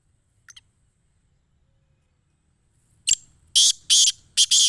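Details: Black francolin in Sindh, Pakistan: after near silence, a loud series of harsh, grating bursts, four strong notes packed into the last two seconds.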